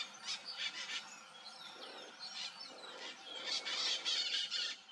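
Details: Wild Hyacinth macaws playing around in Brazil give harsh, rasping squawks in uneven bursts every second or so, with thinner high chirps between them.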